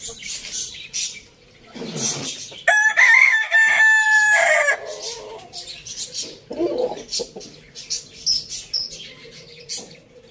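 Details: A farm-village rooster crows once for about two seconds, a loud, rough, sustained call with a slight rise, then a drawn-out falling ending. Scattered clucks, chirps and clicks fill the quieter stretches around it.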